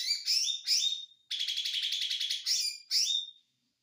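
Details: Konslet song from an ijo mini white-eye: two loud slurred whistles, a fast rattling high trill, then two more sweeping squeaky notes.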